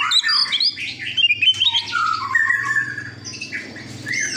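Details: An old white-breasted Oriental magpie-robin sings a rich, fast medley of varied whistles, chirps and sliding notes from high to middle pitch, over a steady low electrical hum.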